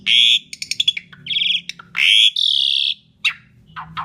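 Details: Asian pied starling song used as a lure for other birds: loud harsh rasping bursts and quick clicking notes, followed by scattered short calls, over a faint low hum.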